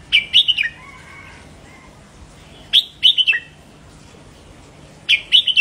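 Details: Red-whiskered bulbul singing in the 'double' style to stimulate caged bulbuls. Three crisp, chattering whistled phrases of four or five notes come about every two seconds, with fainter thin whistles from other birds between them.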